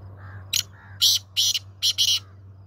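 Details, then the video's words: A black francolin (black partridge) gives a harsh, grating phrase of about five rasping notes, the later ones longer, over a faint low hum. "black partridge voice kala teeter ki awaz"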